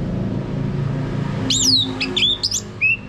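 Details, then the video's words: Orange-headed thrush song, played as a lure to prompt a male to sing loudly in ngeplong style. Bright whistled phrase begins after a low hum, with sliding notes that fall and then one short closing whistle. "Mainkan Video Pancingan Ini Agar ANIS MERAH Mau Berbunyi Ngeplong Kalau jantan ya."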